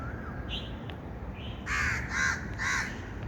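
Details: Birds calling outdoors: after a quieter start with a few short faint notes, three loud harsh, raspy calls come about half a second apart, over a steady low rumble of background noise.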